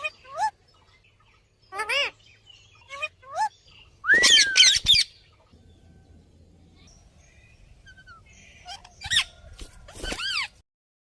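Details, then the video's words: Ringneck parrot giving shrill, squawky calls: short rising and falling harmonic notes in scattered bursts, one longer looping screech midway, separated by quiet gaps with faint low hum. "Ringneck Parrot sound"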